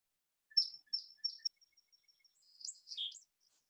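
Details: A Song Sparrow sings three sharp, high "getting ready" start-up notes, which distinguish the species, then a fast, complicated jumble of trills and buzzy notes that fades away.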